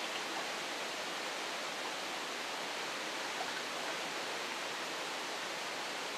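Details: Constant hiss of rushing water, like a stream or waterfall, with no animal calls.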